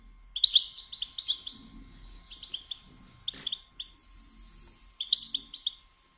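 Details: Female European goldfinch batbata chirping, used to spur males to sing and mate: sharp high tweets in short strings, one loud click and a brief hiss midway, with a faint steady hum behind.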